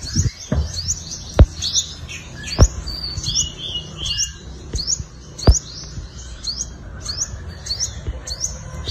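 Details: Fighting song of an olive-backed sunbird, played as a lure: a run of high, thin, upswept notes and brief trills, about fifty phrases a minute, broken by several sharp clicks and knocks over a low background hum.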